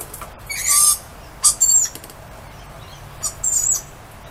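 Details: Lorikeets outside calling hello to someone they know: loud, harsh, high screeching bursts, a long one early, two close together at one and a half seconds, and another at three and a half seconds.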